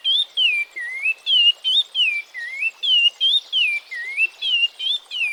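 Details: Oriole Warbler (Hypergerus atriceps), an African species, giving rich, liquid whistles, slurred down and up, about a dozen quick phrases in five seconds with a faint buzzy trill behind.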